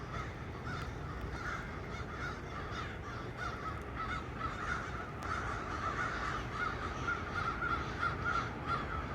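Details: A noisy group of crows hanging out in trees, recorded 1 November 2022, with many overlapping harsh caws that get slightly louder toward the end.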